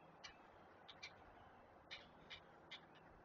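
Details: Great blue heron chicks begging while being fed at a Chesapeake nest; short harsh clattering calls in scattered bursts of one to three, with faint background hiss.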